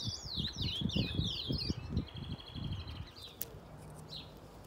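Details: Ultramarine grosbeak (azulão) in an aviary: a burst of quick descending whistled notes at the start, then quieter scattered chirps, with low thumping noise underneath.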